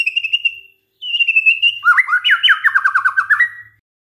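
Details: White-rumped shama song used as a lure to set other shamas singing: two clear level whistles followed by a brisk descending trill of about a dozen repeated looping notes, clean and without other sounds.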